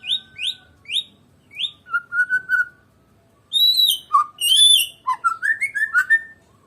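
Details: Medan white-rumped shama in varied song: a few rising whistled notes, a wavering lower phrase, a pause, then loud mixed whistles, slurs and high sweeps in quick succession.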